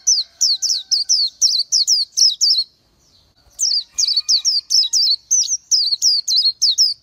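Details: Oriental white-eye singing: rapid runs of thin, high, sweeping notes, each dropping and twisting, about three per second, broken by a short pause midway before the run resumes.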